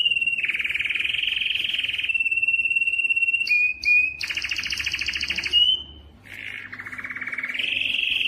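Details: Canary song to prompt males to sing: a sustained warbling roll, a flat whistle, brief high notes, then a loud rattling trill and a lower buzzy tour rising again.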